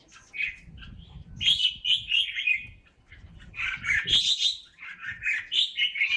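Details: Red-whiskered bulbul from a bird farm in Ba Vì, Vietnam, singing two bursts of bright, warbled chirpy phrases separated by a short pause, with low background rumble.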